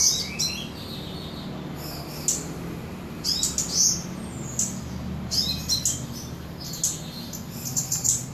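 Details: Samarinda, Indonesia: a Cabai gunung sings bright, high chirping notes in repeated short bursts, tinny and sharp, accompanied by a steady low-pitched hum.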